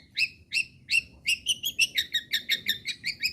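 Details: Long-tailed shrike singing actively to provoke other shrikes into singing: three spaced, downslurred whistled notes, then a quick series of about ten similar chirps delivered nearly three per second.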